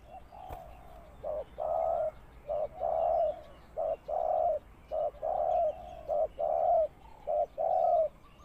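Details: Lure spotted dove for bird trapping, cooing steadily in a low, hollow voice, alternating short and longer drawn-out notes in a rhythmic series of about a dozen coos, with a quiet outdoor background.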